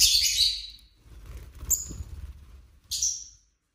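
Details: Pet lovebirds in a home flock, a loud shrill chirping burst at the start and a shorter one near the end, over steady low rumbling background noise.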